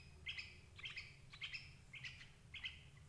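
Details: Sooty-headed bulbul calls meant to attract adult birds into a trap: a clear double-noted chirp repeated about every half second, five times, each note ringing and slightly buzzy, above a low hum.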